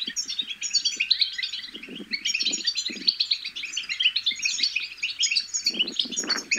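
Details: Babbling from goldfinch chicks, meant to spur goldfinches into song, pours out as a lively high twitter of chirps, trills and nasal buzzes, with scattered low thumping sounds in the background.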